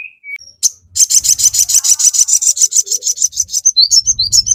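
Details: Crested jay in full song, used as a lure to provoke other crested jays into answering: a rapid run of sharp, buzzy chirps repeated about three times a second, preceded by a few thin whistles and ending in quick twittering notes.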